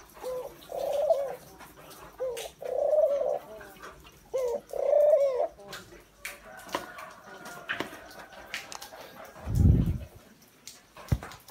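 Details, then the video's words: Spotted dove on a rainy, windy day, giving three low, soft cooing phrases in the first five seconds, each about a second long. Steady rain or wind noise throughout, with a low thud near the end. "Ngắm Chim Cu Gáy Ngày Mưa Gió"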